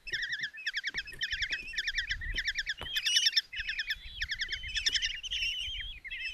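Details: At a Hungarian nest box in Tiszalök, five common kestrel young beg as the mother feeds them a mouse, June 27, 2024; repeated short trilled bursts and thin drawn whistles, with occasional knocks and scuffs.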